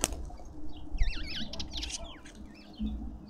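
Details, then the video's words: Lovebirds feeding in a suburban Pretoria garden, South Africa, give a quick cluster of high, wiggling squeaks, then a few thinner chirps, over thumping low-frequency knocks and hum. "Lovebirds endlessly"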